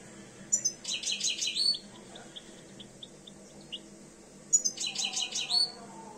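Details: European goldfinch, two years old, starting to come into breeding condition: two short phrases of quick high twittering notes ending in a sharp rising whistle, separated by soft scattered chips.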